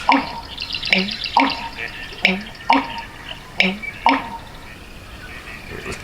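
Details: An American Bittern, the 'thunder pumper' marsh bird, sings deep, gulping pumping notes repeated about every second and a half, with a Red-winged Blackbird trilling faintly in the background.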